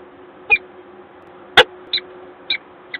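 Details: Peregrine falcons at their nest in Gdańsk, Poland, 1 April 2022: brief high chipping calls spaced about half a second apart, with one loud sharp click midway and a constant low background hum.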